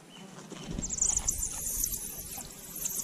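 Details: Sounds at a Eurasian hoopoe nest while the nestlings are being fed: a thin, high hissing buzz that rises and falls, with soft low thumps and bumping nearby.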